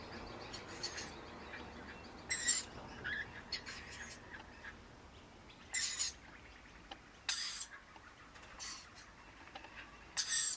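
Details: A wild pair of Rainbow lorikeets with their two babies, feeding on powdered nectar at a front balcony, give shrill, rasping screeches in short bursts every one to two seconds with softer chattering; the babies have high-pitched calls.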